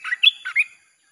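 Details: Red-whiskered bulbul in a 'sap' (chopping) style song played to lure wild birds: one brief bright phrase of quick warbled notes, dipping and rising, ending after under a second into silence.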